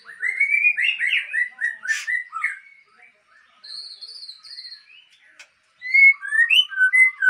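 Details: White-rumped shama of the Aceh type, breeding stock, gives bursts of varied whistled phrases separated by short pauses, including a high thin warble and clear ringing notes near the end.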